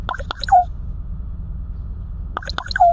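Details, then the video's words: Pet black raven imitates a diesel locomotive's whistle, a new sound for its owner, who rewards it with a treat: two bursts of quick knocking clicks, each ending in a short hoot-like tone, over a steady low hum. "Smart black raven makes sounds of a diesel locomotive"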